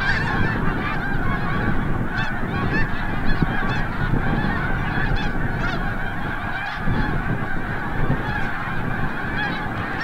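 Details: Large flock of snow geese returning from the bay at sunset at Forsythe National Wildlife Refuge, Oceanville, New Jersey; dense, continuous overlapping honking and yelping from many birds, with a steady low rumble beneath.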